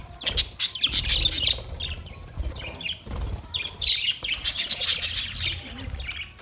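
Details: Budgerigars eating soft food together, recorded 3 October 2023: bursts of harsh, scratchy chatter in quick runs with short gaps, plus soft low thumps and rustling.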